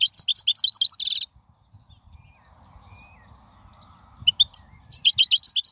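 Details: Singing wild European goldfinch, a recording for tutoring chicks: rapid, high, jingling twitter, a quiet gap with faint low rumble, then the twittering resumes.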